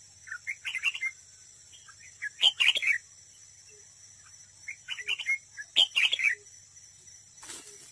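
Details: Red-whiskered bulbul decoy in singing contest at a trap: two similar loud phrases of rapid chirped and warbled notes, each in two parts, repeated about every three and a half seconds.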